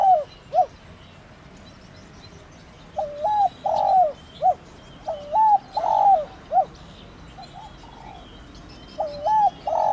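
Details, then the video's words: Spotted dove giving a 'thổ đồng' style calling coo used to stir a decoy dove into calling: low mellow three-part phrases, a brief note, a long rolling coo and a short clipped ending, repeated about every two to three seconds. "Cu gáy THỔ ĐỒNG GÁY GỌI kích bổi nhanh nổi"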